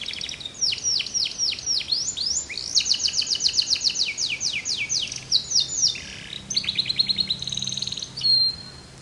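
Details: Canary song of repeated high descending slurs and fast chattering trills, ending with a short pure whistled note.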